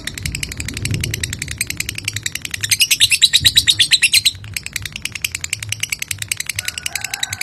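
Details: Lovebird giving a long ngekek trill, used as a provoking call so another lovebird answers. Rapid high chattering pulses run on without a break and are loudest in the middle. A low rumble sits underneath.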